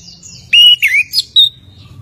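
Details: Orange-headed thrush singing in the gacor ngeroll style: a few loud, clear whistled notes, some sliding and wavering, with a high thin note at the end.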